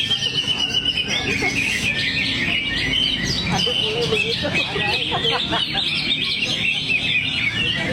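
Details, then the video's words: Greater green leafbird in full flow: a long, rapid outpouring of high chirps, trills and warbled notes, with a few lower rattling bursts midway, over a steady low hum. "Cucak Hijau"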